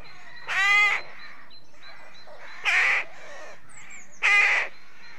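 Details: Rook at a rookery with nests, giving three harsh, grating caws about every two seconds, each roughly half a second long, with other birds faintly calling behind.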